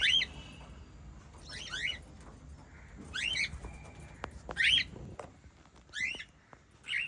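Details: Pet white lovebirds, a family of five, chirp repeatedly. Short, harsh, rising notes come about every second and a half, six in all, against a soft indoor background hum.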